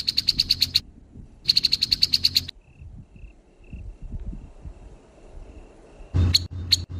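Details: Grey-headed babbler giving two bursts of fast, rasping harsh notes, then a quiet stretch with faint thin tones, and a final short grating burst at the end.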